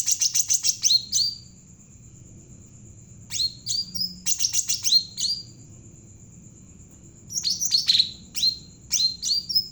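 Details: Javan cucak ranting bulbul in full song, used to coax other birds to sing: rapid stuttering chirps followed by slurred descending whistles, in three phrases with long silences between, over a thin continuous high tone.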